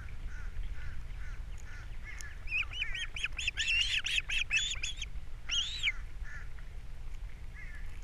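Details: Nesting ospreys on Captiva, April 3, 2022. The male delivers a fish at breakfast time while the female feeds the babies. A fast string of thin whistled chirps over a low rumbling background ends in one longer, drawn-out squeal.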